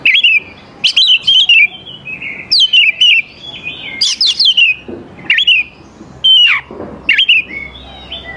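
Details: Oriental magpie-robin in full song to provoke young forest birds into singing: repeated groups of bright slurred whistles and quick rising notes, each burst followed by a short silence.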